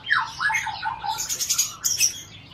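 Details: Brief burst from a captive Aceh white-rumped shama known for copying other birds' songs, among them cici merah and ciblek. Tumbling whistled notes slide downward, followed by scratchy high chatter.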